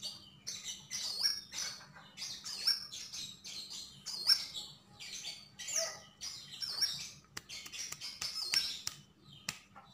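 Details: Javan grey-throated white-eye delivering lively song, repeated short bursts of high chirps and rising whistled slurs roughly every second, interspersed with sharp clicks and a low hum.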